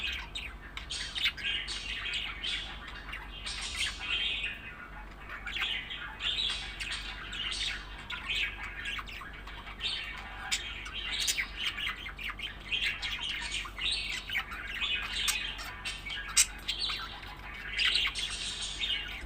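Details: A pet budgerigar (Melopsittacus undulatus) chirps while playing, with a steady run of bright, scratchy chirps and warbles.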